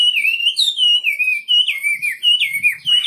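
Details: Wambi bird in full song with pure, piping whistles that waver and dip, each phrase bending up then falling. The phrases come in close succession and are loud and clear.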